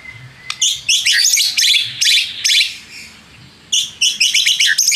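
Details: White-rumped shama (murai batu) lure song for provoking rival birds: harsh, buzzy, high bursts in clustered runs, a pause near the middle, then more rapid scratchy chatter.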